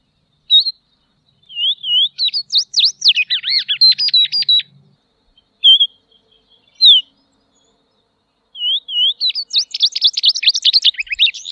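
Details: Tropeiro seedeater singing: a few isolated whistled notes, then a fast run of high chirps and buzzy trills, a pause with single sharp notes, and another rapid chattering phrase.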